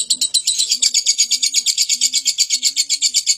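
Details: Lovebird in a long, chatty ngekek run, sharp high pulses rattling along about three per second without a break, while a soft, low hum sounds in short bursts underneath.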